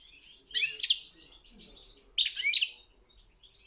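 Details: European goldfinch song at a world championship singing competition: two short bursts of bright, tinkling, high twittering notes about a second and a half apart, with quiet gaps between.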